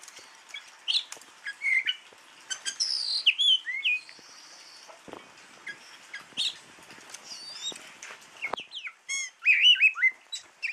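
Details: A Javan Oriental magpie-robin (kacer) sings a varied run of sweet whistles, slurred notes and sharp chirps, with short pauses between bursts.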